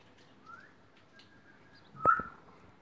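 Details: Female grey parrot on a farm, entertaining people and babbling nonsense; a brief rising whistle, then a sharp click and a louder level whistle near the end, over quiet background.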